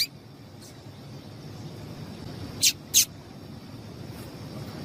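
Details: A female seedeater calling to excite a male into song: after a quiet stretch, two sharp, high chirps close together, then a faint later note, over soft low rumble.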